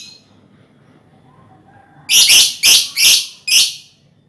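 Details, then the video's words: Lovebird colony calls meant as a lure for trilling: after a quiet start, four loud harsh rasping screeches come in quick succession, each about half a second long. "Suara Lovebird untulan koloni cocok buat pancingan ngekek"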